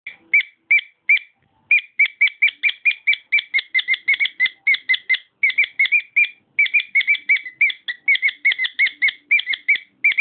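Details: Pet male cockatiel singing: a fast run of short whistled notes near the same pitch, rapidly repeated with brief pauses, clean and close with no other sounds.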